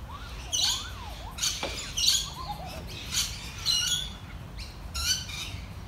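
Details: A hungry royal spoonbill at Featherdale Wildlife Park gives harsh, high chirping squeaks in short bursts about every half second to second, with thin wavering whistles early on over a low background rumble.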